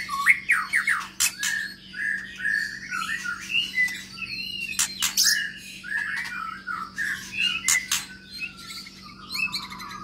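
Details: Caged white-rumped shama from Medan, long-tailed, singing in an aviary, a long stream of varied whistles, chatter and loud clicking bursts, with phrases repeated every second or two and ending on a steady high whistle.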